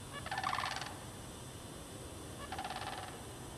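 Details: Mating sandhill cranes in a park bog, March 2009. A strong purring, rattled call opens the clip, and a second, weaker rolling call follows about two seconds later. Light hiss underneath.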